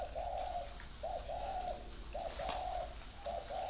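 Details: Spotted doves kept as free-range breeding birds, cooing in low, hollow two-part phrases that follow one another with barely a pause, four phrases in under four seconds, with faint high clicks behind.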